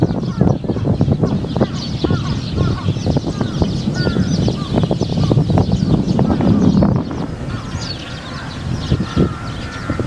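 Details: Wild flock of Eurasian tree sparrows in gusty strong wind at a Japanese wildlife sanctuary; many overlapping bright chirps and twitters form a continuous chatter, with buffeting wind noise underneath.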